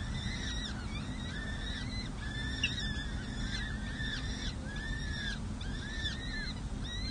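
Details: Nest cam at San Jose City Hall, 7 May 2024: a parent peregrine falcon feeding four chicks six to seven days old. Repeated runs of short, high, chirping notes, grouped in bursts about a second long, sit over a constant low mechanical hum.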